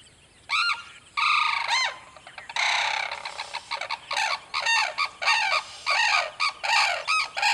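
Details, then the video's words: Sarus cranes trumpet at Paraswada sanctuary, India: a few loud, brassy notes, then a long harsh blare breaking into rapid bugled notes, about three each second. "Indian Sarus crane call"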